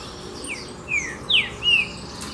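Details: Green-winged saltator singing: three or four loud, clear slurred whistles, each sliding downward and lasting about a quarter second, spaced roughly half a second apart over a steady soft hiss.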